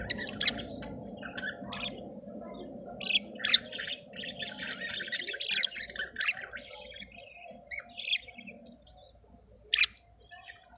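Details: Budgerigars in heat in a cage, mating and regurgitating food; soft, gravelly chattering warble of buzzy notes with occasional sharper squeaks, a low hum fading out partway through.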